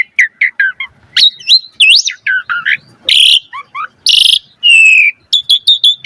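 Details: Varied Asian pied starling song for training other birds, mixing warbled whistles, falling slurs, loud harsh buzzy blasts and a clear steady whistle among quick chirps.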